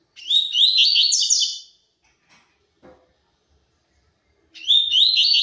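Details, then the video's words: A double-collared seedeater gives the tui tui zel zel style of song: a rapid bright chattering phrase of high sliding notes, a pause with faint taps, then the same phrase starting again. "COLEIRO TUI TUI ZEL ZEL PURO"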